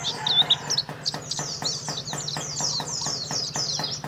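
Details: Karawang contest champion white-eye, Indonesia, opening with a few loud sharp whistled notes, then running into fast high twittering, over evenly spaced ticks and a low hum.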